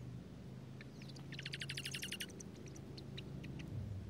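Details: Dark-eyed junco at a nest with newborn nestlings tucked in a strawberry patch, Washington State, during pouring rain: a short, fast dry trill of evenly spaced notes, followed by scattered faint chips over steady rain noise.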